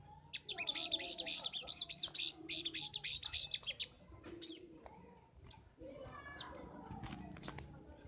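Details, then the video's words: Sunbird song made as a training master: a dense scratchy twittering burst of about two seconds, followed by sparse sharp high chips amid low background noise. "Masteran sogok ontong paling ampuh - sogon gacor nembak"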